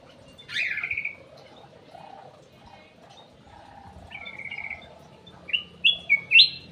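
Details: Aviary Ruby-throated bulbul song for luring birds: a sharp downslurred whistle, a quiet gap, a held warbled note, then a rapid rising sequence of four sweet whistles.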